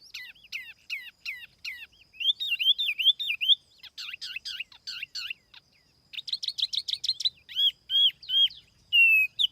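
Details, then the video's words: Clean lure song of a tiểu mi laughingthrush: sharp hooked notes, warbled rolling phrases, a brief pause, then a dense fast burst and loud level whistles. "TIẾNG CHIM TIỂU MI MỒI"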